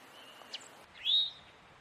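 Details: Male Eastern towhee giving an alarm or warning call: a faint, thin whistle followed by a single louder, rising slurred note that climbs sharply, against a quiet background hiss.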